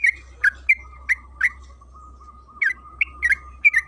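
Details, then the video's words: Bursts of bubbly notes from a yellow-vented bulbul (trucukan kebo), a lure recording for encouraging other bulbuls to sing: five quick chirps, a pause of about a second, then another cluster, over a steady thin tone and low hum. "Pancingan trucukan agar bunyi‼️Suara burung TRUCUKAN KEBO Gacor ropel Panjang"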